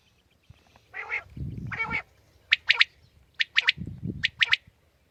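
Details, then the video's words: Common quail calling in the morning: two low, harsh rasping bursts, then three quick groups of sharp, clipped high notes, each a rapid two- or three-part phrase, over a faint low background hum. "Aj suba Batair Ki Awaz ki Recoding| Khali Batair ki Batair ki Awaz| Quail sounds|lCommon Quail 2020|"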